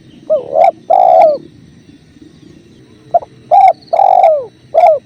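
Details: Spotted dove (tekukur) calling freely beside a clear-running river: two cooing phrases, each a short pickup note, a long hoarse downward-sliding coo and a short clipped ending note, separated by a pause, over steady low water noise.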